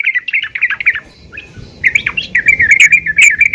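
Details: A calling female yellow-vented bulbul, aimed at getting other bulbuls to sing: jumbled, bubbly chatter in short phrases, a brief gap, then a steadier rippling stream of chirps.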